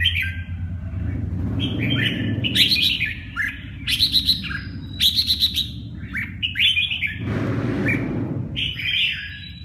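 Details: Red-whiskered bulbul delivering bright, warbling whistled phrases in quick bursts, mixed with sharp clicking sounds and a broad noisy rush near the end, over steady low-pitched background hum.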